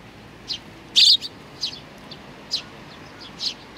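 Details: Eurasian tree sparrows, several birds including a youngster, recorded 27 June 2019: short high chirps spaced about half a second apart, one louder double note near the middle, over a quiet background.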